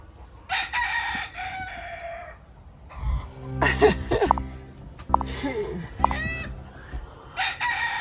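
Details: At dawn at a campsite in Colombia, roosters crow in loud, drawn-out bursts among geese, turkeys, hens and other birds that have been calling since 4 am.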